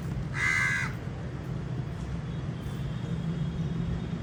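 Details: A crow gives one loud, harsh caw lasting about half a second near the start, then falls silent over a steady low rumble of background noise.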